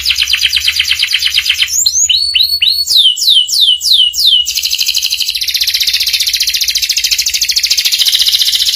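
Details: Master song for young canaries to learn quickly, with ngeriwik sounds: a buzzy trill, then loud repeated downward-sweeping whistles, followed by a long high continuous buzzing trill.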